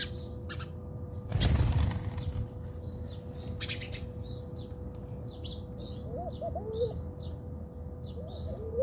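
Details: House sparrows fighting in a backyard in South Africa: rapid, harsh, high chirps repeated several times a second. A loud thump comes near the start, and soft low whistled notes follow later, over a steady background hum.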